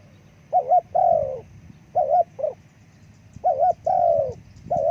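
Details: Spotted dove cooing: a quick doubled note followed by a long, slurred, falling coo, the phrase given three times over low background rumble.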